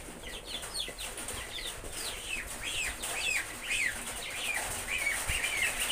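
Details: Geese accompanied by baby geese, the goslings keeping up a steady stream of high, slurred peeps and chirps, several overlapping, repeated about twice a second over faint background noise.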